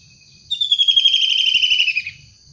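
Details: Long-tailed shrike in the wild, a single harsh, rasping call of about one and a half seconds, slightly descending, made of rapid pulses, standing out over quiet low background hum.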